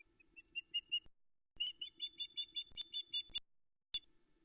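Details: Female osprey begging for fish at a Loch Arkaig nest, Arkaig Community Forest, 13 July 2020, early morning, as a chick eats a trout: loud runs of quick, piercing whistled chirps, about a dozen in a row, with background hum.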